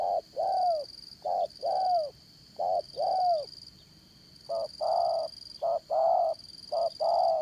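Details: Decoy spotted dove kept for trapping, singing in the Đồng Son voice: soft mellow coos in short-long pairs, the long note slightly falling, repeated about every second. A constant high insect drone sits behind.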